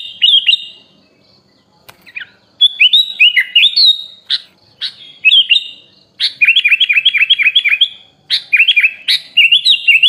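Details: Sooty-headed bulbul in a songbird-training recording rich in imitated phrases: scattered whistled notes and looping phrases, then a fast stuttering series of about nine repeated chirps, followed by further bright rolling whistles.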